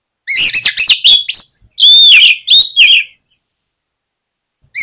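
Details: Oriental magpie-robin song played to make other magpie-robins sing: a vigorous stream of chattering chirps and long, ringing whistled notes delivered in quick, uneven phrases.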